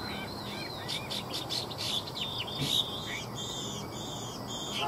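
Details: Chinese hwamei singing a varied run of clear whistled notes and slurs, then a phrase of bright, rising whistles repeated three times in quick succession, over a faint background hiss.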